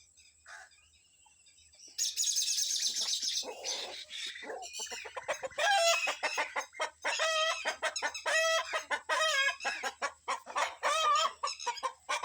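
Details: Rooster with his family of hens in the morning, being let out to forage, agitated and warning the family to hide from kites flying overhead; a brief squawk, then a loud burst, followed by dense repeated clucking and cackling calls.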